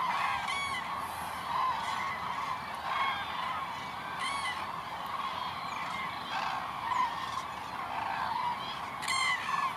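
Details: Cranes calling in the rain: loud trumpeting, honking calls repeated every second or two over a steady hiss of rainfall, several birds calling from a flock.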